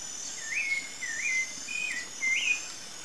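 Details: Rufous-bellied thrush, wild, in Brazil: four clear whistled phrases near the same pitch, each rising then levelling, spaced about half a second apart, over a steady high insect hum.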